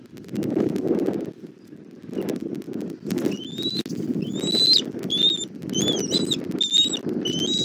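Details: Bald eagles at a Southwest Florida nest cam, 17:30 on 1 April 2024, as the mother brings a little food to her chick for dinner: after rustling, thin high whistled notes begin, rising and slurring, repeated about once a second.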